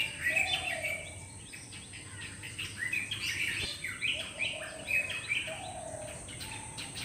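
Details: Live recording of a black drongo chirping: rapid, irregular series of bright, abrupt chirps and brief whistles, some with lower harsh undertones, running throughout, accompanied by a constant high-pitched hum in the background.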